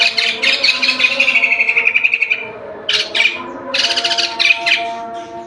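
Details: Gacor song of a white-crested laughingthrush: a quick rippling trill of about a dozen notes, then loud, harsh, scratchy bursts in two clusters. A constant tonal drone runs underneath throughout.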